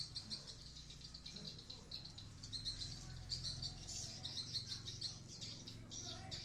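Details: Swiftlet twittering inside a swiftlet house at Blokagung, Banyuwangi, East Java; continuous high, metallic chirps in uneven clusters, with low-pitched hum and occasional soft fluttering underneath.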